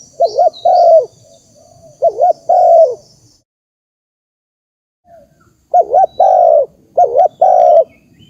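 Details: Spotted dove giving its lure call, used to stir decoy birds when trapping: two bursts of mellow cooing, each a quick wavering double note then a long level croo, separated by a silent gap, with faint high chirps early on.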